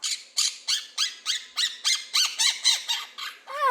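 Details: Quaker parrot living with a family mimics laughter: evenly repeated raspy chuckles, nearly three a second, ending on a short, squeaky, downward-sliding note.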